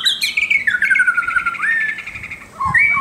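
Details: White-crowned shama song: clear high notes slide steadily downward in a smooth whistled run, then a short rising upslur, a brief pause, and a final pair of bright whistles.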